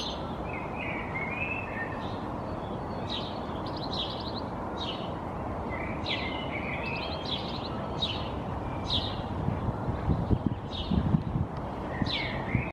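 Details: A European Goldfinch perching in a tree in Helsinki, Finland, in April 2022, also shaking its feathers, gives bright tinkling twitters and short liquid notes every second or so over a low rumble.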